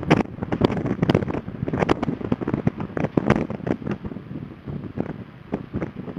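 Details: Rapid clicks and thumps over roaring wind on the coast at Port Lincoln, Australia, with no clear animal voice.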